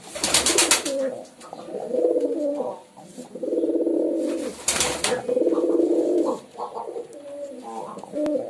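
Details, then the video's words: Pigeons giving deep, burbling coos in several bouts, broken by loud brief rustling or clattering bursts, perhaps from movement nearby. "Pigeon Sound"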